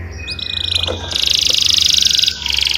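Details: Canary singing a long rolling trill, used as a lure to train young canaries, with high sustained buzzy rolls and a low background hum.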